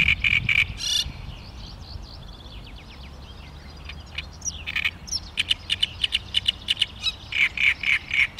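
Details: Great reed warbler in May 2013: loud, creaky, chattering phrases of repeated harsh notes at start and end, separated by a quieter stretch of thin high twittering from other birds.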